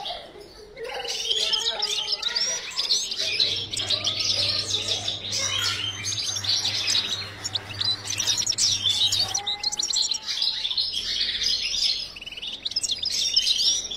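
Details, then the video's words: Caged European goldfinch kept for breeding, a long bright twittering song of rapid chirps and liquid trills after a quiet start, with a brief pause near the end and a low electrical hum in the background. "Goldfinch breeding_chant chardonneret"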